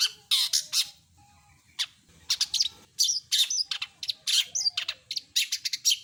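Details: Long-tailed shrike delivering loud, clear mimicry song made of harsh raspy bursts mixed with short whistled slurs, rapidly repeated in irregular groups.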